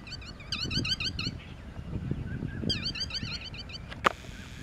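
Yellow-wattled lapwing alarm: sharp, high, repeated notes in rapid bursts, with low rumbling background noise and a brief click near the end.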